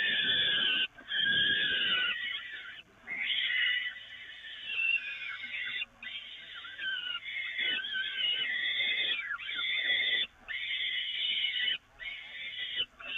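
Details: Peregrine falcons at the Evoluon, feeding on the nest grating, 13 May 2018 around 17:02. Harsh, drawn-out screeching calls run almost without a break, cut by short pauses near one, three, six, ten and twelve seconds.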